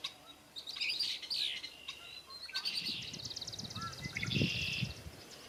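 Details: Several male red-winged blackbirds singing and displaying at cattail marsh margins in South Hero, Vermont: overlapping harsh, gurgling phrases ending in buzzy, rattling trills, over a low rumble of wind.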